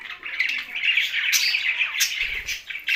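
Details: Budgies sharing space with parrots in Larkana, Sindh, chattering in a steady stream of bright warbles and squeaky chirps, with a brief low thump near the end.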